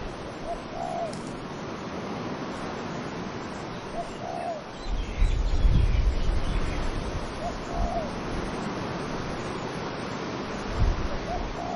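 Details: Cooing dove among wind-blown trees, giving short hollow coo phrases roughly every two to three seconds while a steady windy hiss and occasional low gusts run underneath.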